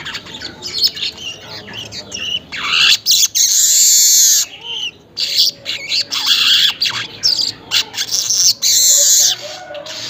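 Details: Weaver singing at dawn, about 5:40, a dense stream of hissing, wheezy high bursts with brief pauses and some fast stuttering clicks between longer buzzy phrases.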